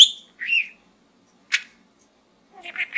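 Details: Pet budgerigar in a small gourd gives a high squeak and a short rising warble, a lone sharp click, then a soft murmured chatter trailing off.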